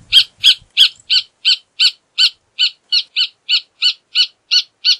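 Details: Rufous hornero singing a long run of loud, ringing, evenly spaced notes, roughly three each second, strongest at the start and holding a steady rhythm throughout.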